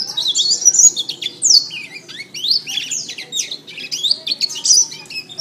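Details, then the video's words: Canary masteran song for training birds: sharp, high chirped phrases and downward-swooping whistles delivered in pulsing bursts, each about a second long, with a faint low background murmur. "Masteran Terbaik Kenari"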